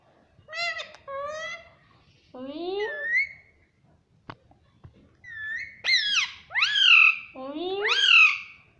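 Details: Talking parrot saying "mummy" again and again, a run of upward-sweeping harmonic utterances that grow louder and closer together toward the end, with a couple of sharp ticks between them.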